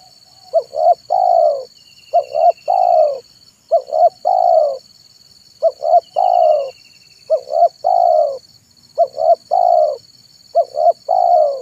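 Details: Zebra dove in afternoon song, meant to attract wild doves: seven regular phrases roughly every 1.6 seconds, each a pair of short upturned coos and a long rolling falling trill, with steady high-pitched insect drone behind.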